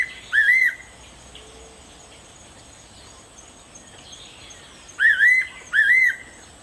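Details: Fairy pitta calling: a single wavering whistled note, then after a pause a clear two-note whistle, each note slurred and undulating. The pair is repeated about twice in under seven seconds against a quiet, faint background hiss.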